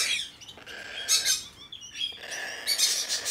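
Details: Domestically bred, hand-tame blue-eyed cockatoo in Japan, December 2019: short harsh rasping squawks at the start, around one second and near the end, separated by quieter gaps.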